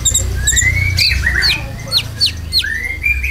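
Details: Konin lure song with filler material for caged birds: high chirps, then a series of squeaky upslurred and downslurred whistles about every half second, over a low humming drone.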